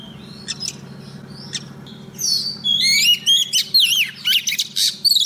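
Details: A female Oriental magpie-robin, kept as a lure, sings to call a male. Isolated soft chirps give way to a dense, lively stream of looping whistles, trills and sharp clicks, with a steady low electrical-type hum throughout.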